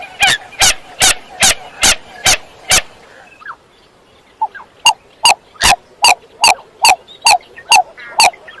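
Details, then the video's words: Two bursts of sharp, explosive pips from a common coot, about two and a half per second, broken by a short quiet gap with faint softer notes. "Common Coot Bird Sound | জলকচু পাখির ডাক | Jal Murgi ki Awaz | জলমুরগি | Coot Bird Call"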